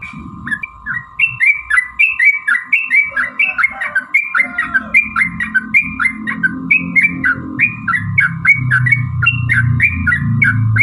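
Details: Sooty-headed bulbul energetic lure song to make other bulbuls sing: continuous series of short slurred whistles, about three per second, while a low rumbling noise gradually swells beneath, plus a steady hum.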